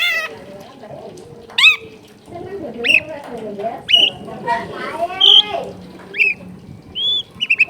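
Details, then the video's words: Singing long-tailed shrike with a clear song full of borrowed phrases gives scattered sharp rising whistles about a second apart, mixed with a harsher nasal phrase and a quick closing trill. "CENDET GACOR FULL ISIAN MEWAH SUARA JERNIH"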